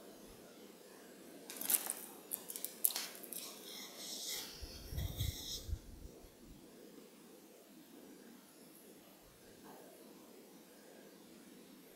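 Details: Scattered rustling and clicking noises with a brief low rumble, over steady background hiss; no animal calls.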